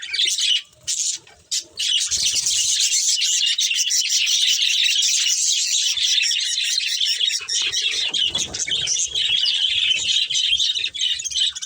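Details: A budgerigar family fills the air with a continuous, dense, shimmering warble of overlapping high chirps after a few short opening bursts, and it barely pauses throughout.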